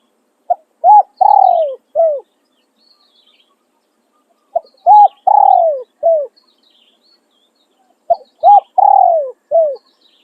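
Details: Decoy spotted dove used for luring wild doves, giving its calling and tossing crow styles: three cooing phrases about every 3.5 seconds, each a short note, a rising hoot, a long drawn descending coo and a final falling note, over quiet background.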